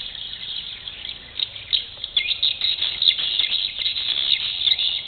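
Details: Dense chorus of swiftlets at a swiftlet bird house in Malacca: high, rapid chirps and twitters overlapping without pause, many birds calling at once, with no other clear sounds.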